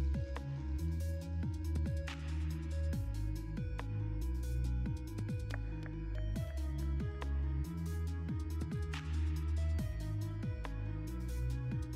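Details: Electronic music with a heavy bass line and rhythmic synth sweeps, with no animal sounds heard.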